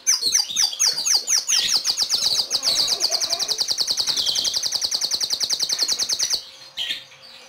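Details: White-rumped shama at a breeding farm in Kebumen, Indonesia, singing a loud, fast run of sharp high notes that rises into a rapid rattling trill for about six seconds, then stops. A short softer phrase follows.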